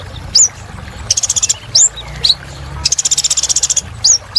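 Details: Sunbird called kolibri ninja, singing briskly: high rising whistles scattered between two fast, evenly pulsed high trills, the second longer, with soft low background noise.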